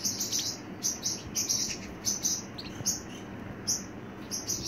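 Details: Pet Pacific parrotlet giving short, very high chirps repeated roughly twice a second in an uneven series, over a steady background hiss.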